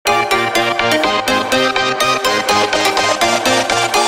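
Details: Loud electronic dance music with a steady pounding beat and bright repeated synth chords, with no animal voices.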